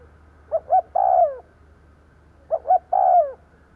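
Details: Kept spotted dove used as a decoy to draw in wild birds gives two cooing phrases, each two quick hoots and then a drawn-out croon that slides downward, against a faint low hum.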